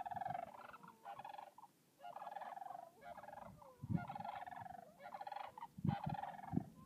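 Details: Wild sandhill cranes at Swan Lake, Yellowstone, in April 2016 during spring: loud rattling, rolling bugles repeated almost without pause, several calls overlapping, with low rumbling background noise and occasional thumps.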